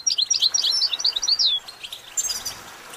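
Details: Goldfinch singing a brief phrase of fast, bright twittering notes ending in a downslurred whistle, followed by softer, fainter chirps.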